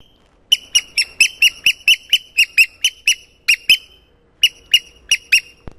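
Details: Eurasian oystercatcher chicks at Getterön on a 13 May morning around 8 o'clock: two just hatched, a third pecking its way out of the shell. Thin, high, clear peeps come in an uneven series of about seventeen notes, with short pauses between them.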